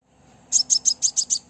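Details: A female Crimson sunbird's lure call for attracting males: after a short quiet start, one quick burst of six sharp, high, evenly spaced chirps.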